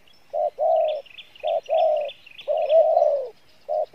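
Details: Spotted dove in 'Pha Bài Lối' style cooing with a good voice: a short coo, then longer rounded notes ending in a drawn-out, slightly wavering coo. Thin high chirps of another bird run in the background.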